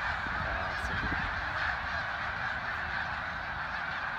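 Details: Snow geese at Middle Creek, Pennsylvania, on 24 February 2024 at 10:52 AM: a dense, continuous chorus of many overlapping nasal calls merging into a steady roaring din with no breaks.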